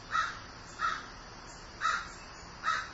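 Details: Grieving crow giving four harsh, short caws spaced roughly evenly across three seconds, each a coarse burst with no other sounds beyond faint background hiss.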